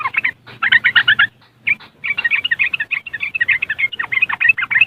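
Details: Ngriwik song of a yellow-vented bulbul, West Java, Indonesia, used to lure and stir caged birds, recorded by Android phone: dense, continuous bubbly chatter of quick warbled notes after a brief pause, with faint low hum.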